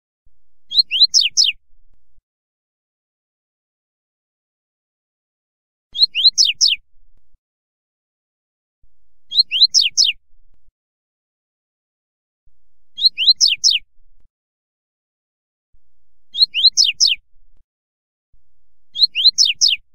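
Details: Double-collared seedeater, short 'fibra' song used to tutor a young bird: six brief phrases of a few steeply falling, high whistled notes, separated by gaps of about three seconds, against a silent background.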